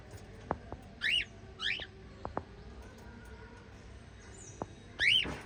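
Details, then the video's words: White lovebirds kept as a parrot family chirp in sharp upswept notes, two close together then one after a pause, mixed with soft clicks and taps from the cage. "White Little LOVE Birds Chirping Sound"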